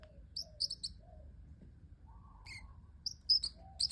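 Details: Cute sounds from a pet parrotlet: bright high chirps in small clusters, separated by soft descending low warbles.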